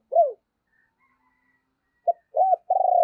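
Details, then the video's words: Decoy spotted dove cooing to stir others: a falling arched coo, a pause, then a short note, an arched coo and the start of a long pulsed coo. "Chim Cu Mồi Thúc Và Gáy Gọi Kích Bổi Nhanh Gáy"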